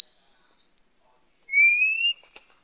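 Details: Oriental magpie-robin female calling to males, a lure call for wild birds: after a brief click and quiet, one long, steadily rising whistle, followed by a faint tap.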